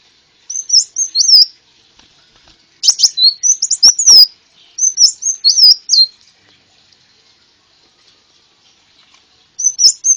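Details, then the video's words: Konin bird, a sunbird, used as a luring and training recording: short bursts of high, thin, twisting chirps, several seconds apart with quiet gaps between. "masteran suara burung konin full isian"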